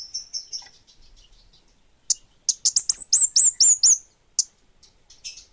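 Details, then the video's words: Orange-headed thrush (kemade bunga api) singing lustily: thin repeated high notes open, followed by a fast volley of about eight loud, ringing, downslurred whistles and a few trailing chips. "Suara Burung Kemade Bunga Api Gacor!!!"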